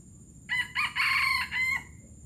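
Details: Junglefowl from Palembang giving a gerabas-style crow, slightly more distant: a short opening note, a second burst, a sustained middle section and a separate final note, over a noticeable low background rumble.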